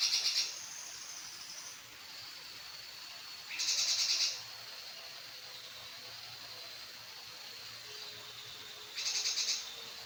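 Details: Three separate bursts of fast, high, rattled notes from a grey-cheeked bulbul, each half a second or so, separated by long gaps holding faint thin whistled tones in the background.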